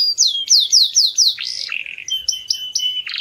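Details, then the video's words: Canary singing to train young birds: a string of bright falling whistles, a harsh buzzy burst, then low steady notes broken by short clipped chips. "yến hót để huấn luyện gà con"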